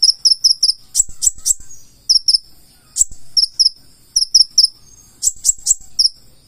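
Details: Konin, the purple-throated sunbird, singing in 'gacor full isian' style: clusters of three or four piercing, high-pitched tsip notes, each cluster separated by short gaps, mixed with sharp tapping clicks.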